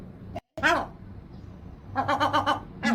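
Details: Gulls protesting in a duet: one sharp harmonic cry, a quiet gap, then a rapid stuttering run of short notes and a final rising squeal, against a low steady hum.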